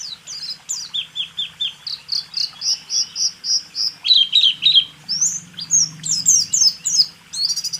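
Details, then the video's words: White-eye song in the 'rool tembak' style, a 2023 training recording for caged songbirds: rhythmic chirps, about two per second, shifting in pitch between phrases, over a low hum. "Masteran burung pleci..rool tembak"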